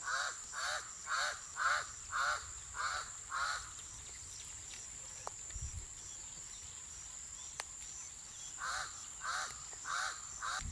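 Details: A pied crow on a farm with pastured donkeys gives a series of harsh, hoarse caws, about two a second, pausing midway before resuming, with a steady high insect hum throughout.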